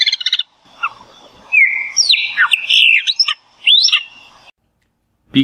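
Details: Brazilian Cerrado Chopi Blackbird song: a rough opening note, then ringing whistled slurs and sweeping rising notes in a rich phrase, followed by a pause before a voice starts.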